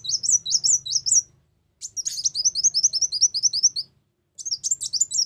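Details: Brown-throated sunbird lure song for trapping, a small nectar-feeding songbird: high, sharp, rapidly repeated chirps in quick series, about two and a half notes a second, separated by short silent gaps.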